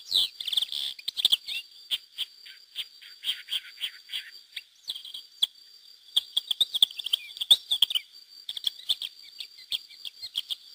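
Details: Wild pair of Lesser Grey Shrikes with chicks, released through hacking in 2009, at Mas de Melons–Alfés, Lleida, Spain: bursts of high chirps and harsh chattering notes, uneven and clustered, over a steady thin high whine in the background.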